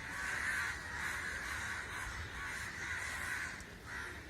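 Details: An unusual gathering of crows produces a steady wall of raspy caws from many birds, rising and falling in loudness, with faint low background rumble.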